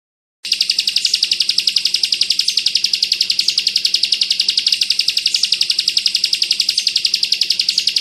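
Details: Bar-winged prinia tutor song in the close-packed 'bren' style, meant for training pleci birds. Silence opens, then a high, metallic trill of rapid, regular pulses, about 222 a minute, continues to the end.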